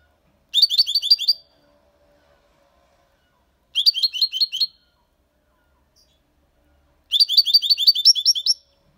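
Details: Six-month-old European goldfinch singing a clean Malaga copy-style song with motifs called colios and quejas plus ornaments. Three bursts of rapid, tinkling high notes, each about a second long, separated by silent pauses.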